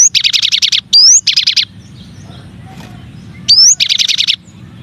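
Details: Masteran recording of a cinereous tit (gelatik batu or gelatik wingko) from a set of nine variations: rapid buzzy trills broken by a rising whistled slide, a pause, then the same rising whistle and buzzy trill again.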